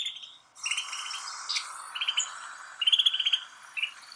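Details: Snow bunting at Kananaskis, Alberta, Canada, giving short rapid trills of clipped chirps, a few quick sputtering runs of notes separated by brief gaps, with a steady hiss behind.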